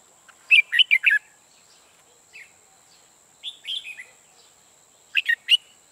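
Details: Red-whiskered bulbul used as a decoy bird for trapping, singing loud, rich warbled phrases of rapid rising and falling notes, three bursts spaced a couple of seconds apart, with a steady high electronic whine underneath.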